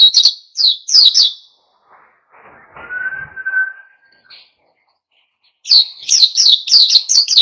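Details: Oriental white-eye (pleci) singing hard to rouse other birds into song; short high chirp bursts, a pause with a thin steady whistle and faint rumble, then a quick run of repeated chirped notes.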